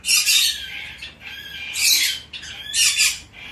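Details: Hand-tame young Bourke's parrot gives three harsh, scratchy chirps, each under a second long and spaced about a second apart, in a quiet room.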